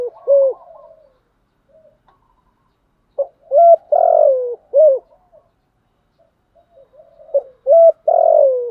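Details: Decoy-training spotted dove call meant to make wild doves reply; soft cooing fragments lead into two clear phrases of rounded short coos and a long trembling descending coo, repeated a few seconds apart.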